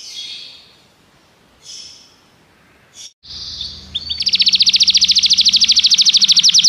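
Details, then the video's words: Belgian canary training song: faint soft phrases at first, then after a brief break a loud, very fast, even trill of repeated notes over a low background hum. "o melhor som canário !! treinamento canário belga cantando"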